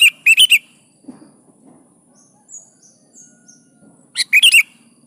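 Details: Lively kutilang, the sooty-headed bulbul, in full song meant to make lazy birds sing: a rapid run of four sharp liquid whistles, a pause with faint distant high chirps, then another fast burst.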